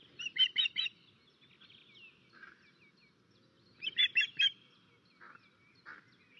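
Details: Osprey at a nest in Estonia on 13 May 2024, calling in alarm while a crow attacks the nest; two bursts of loud, sharp, high whistled notes about four seconds apart, with softer chirps and a low rumbling background between.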